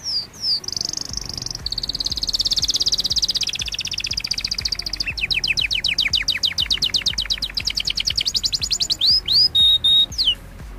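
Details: Canary singing beside a bubbling aquarium, high rolling trills of fast repeated notes, then rising sweeping whistles and a few sharp upslurred notes at the close.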